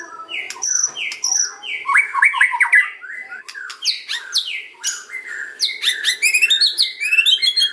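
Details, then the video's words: White-rumped shama kretekan song used to draw other shamas to answer: continuous dense stream of sharp chirps, crackling clicks and fast downward-swept whistles, growing busier toward the end, steady background hum. "KRETEKAN & OCEAN MURAI || MEMANCING BURUNG MURAI APAPUN LANGSUNG NYAUT"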